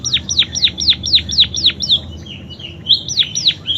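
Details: Munia with canary imitations: eight loud, evenly spaced descending whistles in quick succession, followed by softer drawn-out warbled notes and two more sharp whistles.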